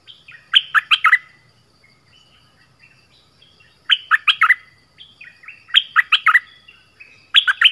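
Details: Orange-headed thrush singing a decoy song to lure wild birds; short bursts of three to five loud, sharp whistled notes, repeated roughly every two seconds with brief quiet pauses between them.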